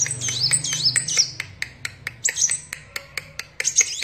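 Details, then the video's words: Sunbird in full song: short bursts of high, squeaky, looping twitters alternating with brief gaps, accompanied by regular sharp clicks and faint low hum. "Burung Kolibri Wulung / Kaca Gacor"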